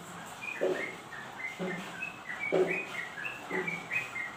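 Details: Yellow-vented bulbul (trucukan) song, a bird kept for home or contest use: a loud, low burst roughly once a second, four in all, under a steady scatter of high chirps.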